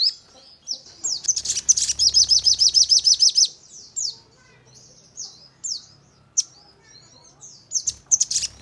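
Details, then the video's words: Crimson sunbird song used as a lure to make other sunbirds respond and sing rapid bursts: very high, sharp chips and slurred notes, then a fast, even trill of about fifteen notes, followed by scattered thin high chirps. "Burung Sogon Untuk Pancingan Dengan Nembak Dan Ngleper"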